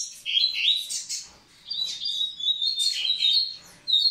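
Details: Double-collared seedeater in song to stimulate the females: a quick twittering phrase, a short pause, then a sustained high whistled line with buzzy chirps layered over it, ending in a fresh burst.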